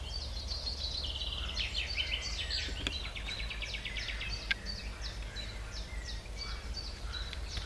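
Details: Eurasian wren (Troglodytes troglodytes), song.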